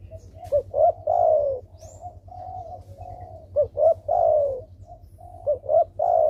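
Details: Spotted dove used as a lure to prompt quiet doves into calling: low mellow coos in short phrases, a couple of soft notes followed by a longer drawn-out descending coo, repeated several times with brief gaps, steady low hum underneath.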